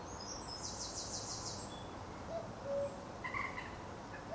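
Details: At Potteric Carr Nature Reserve on the second of June, a common cuckoo gives a clear falling two-note cu-ckoo midway. Earlier, another bird's high rapid trill is heard, with more faint chirps and constant low hiss.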